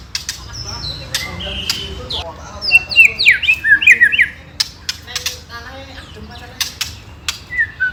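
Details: White-rumped shama ketrekan song meant to rouse rival birds: scattered whistles and sharp clicks leading into a loud burst of tangled, sweeping notes midway, then softer clicks and whistles.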